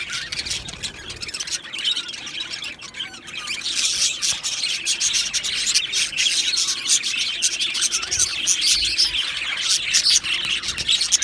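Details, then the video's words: Two male Australian budgies chirp steadily, giving dense high twitters and warbles that swell slightly louder toward the end, with a faint buzzing under the chatter. "2 Male Budgies Birds Sounds | Australian Budgies Birds chirping sounds"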